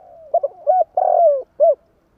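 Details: Tame spotted dove kept as a decoy for luring wild birds, giving one cooing phrase: short soft coos, then a long drawn-out falling note and a final clipped coo.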